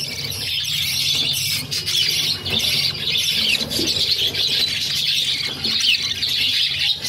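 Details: Hungry budgerigar nestlings, a brood of six, beg as their mother feeds them, giving a dense, harsh, wheezy chatter that pulses almost without pause, with brief soft rustles between bursts.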